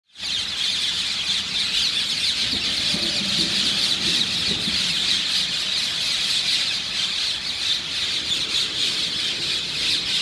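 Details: Parakeets from a population of thousands on the Isle of Thanet, roosting by Ramsgate railway station in the early morning: a dense, unbroken wall of shrill screeching calls from many birds at once, loud and continuous throughout.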